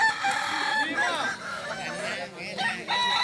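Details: Short stretch from a Kokok Balenggek crowing contest in Solok Regency: sustained overlapping crows with bending, stepped tones from several roosters at once.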